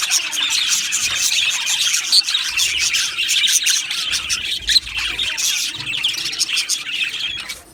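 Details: Budgerigars in an aviary colony, a dense, continuous chorus of high chirps, squawks and warbling chatter from many birds overlapping throughout, with no pauses.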